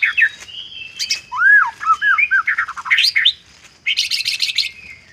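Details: White-rumped shama isian song with mimicry: a long thin whistle, arched rich whistles, rising squeaky phrases, then a harsh buzzy burst over a faint steady high tone.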